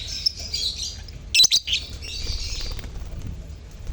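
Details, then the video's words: Lovebird colony chatter used to prompt silent lovebirds: shrill twittering chirps, a burst of loud squeaky notes midway, then softer continuous chatter over faint background noise. "Pancingan Suara Lovebird Koloni untuk pancingan lovebird bisu"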